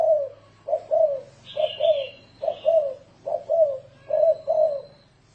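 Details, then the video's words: Decoy recording of a spotted dove in 'thổ rền' cooing style for luring doves: deep rounded coos grouped in twos, about one pair per second, with brief higher twittering from another bird. "Tiếng chim cu gáy thổ rền mới hay âm thanh to rõ ràng ko tạp âm dùng kích bổi hiệu quả cực cao"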